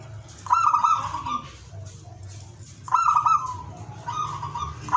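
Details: Lively ngowar song of a zebra dove, used to raise breeding desire in other doves: three bursts of rapid, trilled coos about two seconds apart, with quieter tones and low hum between.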